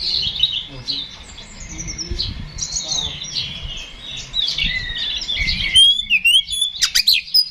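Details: Kacer, the Oriental magpie-robin, singing to rile rivals into fighting. Scratchy high warbling over steady low background noise, ending with sharp clicks and quick bent whistled notes.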